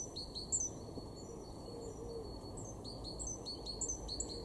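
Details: Great tit recorded in March 2023 in a garden at Weener, East Frisia, Germany, giving a short burst of shrill paired notes, pausing, then resuming a faster run of repeated high two-note phrases, with soft low background noise.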